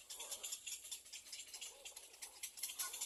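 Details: Little egret chick at the nest, biting its mother for food, begging with fast, dry, rattling chatter in bursts repeating several times a second, high and scratchy; faint and soft throughout.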